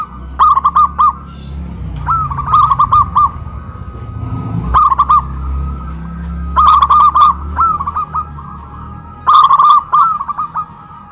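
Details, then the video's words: Zebra doves raised on poles in Kuningan, West Java, Indonesia, cooing loudly in duet; repeated phrases of quick rounded coos every couple of seconds, over a low rumbling background. "PERKUTUT LOKAL SUARA BESAR VS SUARA KRISTAL"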